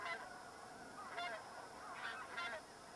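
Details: Taiga bean goose (Anser fabalis middendorfi) wintering in northern Miyagi, Japan, gives resonant honking distant calls ("I'm here" contact calls), about four in three seconds, the earlier ones higher and the later ones lower, over a soft background hiss.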